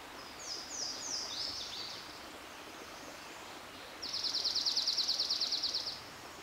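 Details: A Dark-eyed Junco sings a quick, dry trill of even notes on one high pitch, lasting two seconds, after a few thin twittering notes over a steady rushing hiss.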